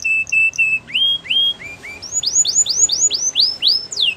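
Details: Singing canary: three short flat whistles, then rising slurred notes that quicken into a steady run of bright upward-curving sweeps, about three per second, over soft background hiss.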